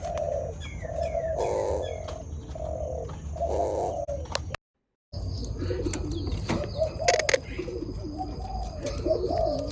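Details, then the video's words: Spotted dove in a mating context, several low hooting coos in quick succession for about four seconds, then a short silence followed by scattered high chirps and clicks from other sounds. "Burung Derkuku Kawin"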